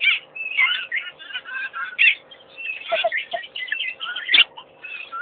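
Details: Wildlife-camera recording of an African pied wagtail at Pete's pond: rapid, jumbled chirps and sweeping whistled notes run almost without pause, with one sharp, louder click-like note late on and a low background hum.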